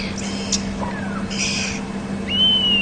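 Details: Red-billed oxpeckers riding and cleaning parasites off old buffalo bulls in a bachelor herd call with harsh, hissing bursts and a thin arched whistle over a low engine hum, on a May afternoon safari drive at Djuma, South Africa.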